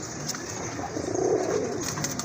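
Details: Male domestic pigeon from a recently breeding pair in Gazipur, Bangladesh, cooing: a low, soft rolling coo swelling in the middle of the stretch over steady background hiss and a man talking.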